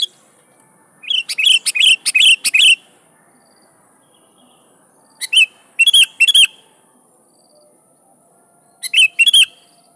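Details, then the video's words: Sooty-headed bulbul in lively, persistent song used to call rivals and draw answers from wild bulbuls: three bursts of bubbly whistled phrases, each of several quick rising and falling notes, separated by pauses of a few seconds. "Suara Burung Kutilang Gacor Memanggil Lawan || Kutilang liar nyaut dan GACOR"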